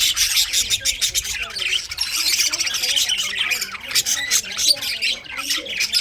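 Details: A group of budgies in winter fills the air with nonstop high chirping and scratchy squawks, overlapping tightly with no pauses.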